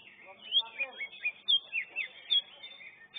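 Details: A greater green leafbird sings in a class-one singing competition: loud, varied, whistled phrases with sharp upslurs and downslurs, roughly three per second, over a faint chorus of other birds.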